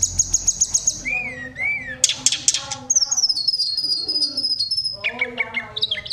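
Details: Lively Sunda robin song, used to rouse other birds into singing: a high trill, two rounded rising-falling whistles, sharp bright notes, then long gliding high whistles and lower warbled phrases.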